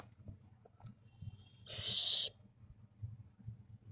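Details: Barn owl owlets, about 25 days old and growing fast, give a single rough hissing screech lasting about half a second against a quiet low rumbling background.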